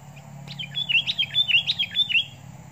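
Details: Sooty-headed bulbul decoy bird reacting while fighting a wild sooty-headed bulbul, giving a rapid run of bright, bubbly notes, about eight in two seconds, with a faint low hum underneath.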